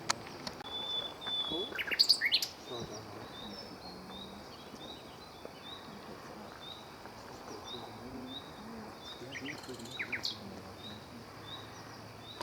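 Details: A male common nightingale singing in the sun, a fairly unvaried singer, gives a fairly faint series of short, high notes, repeated about three times a second, with a few sharper chirps mixed in over steady outdoor background noise.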